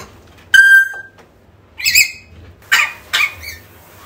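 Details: African grey parrot calling, offered as a recording to lure a lost grey back: a clear whistle, then three harsh, raspy squawks about a second apart, over a faint low hum.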